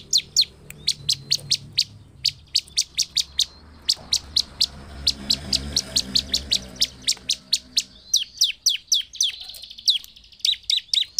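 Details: Bar-winged prinia in full, energetic song, used as a lure to provoke other prinias: a long, fast run of sharp, high metallic chips, about three a second, with a brief lull mid-way before the notes quicken again.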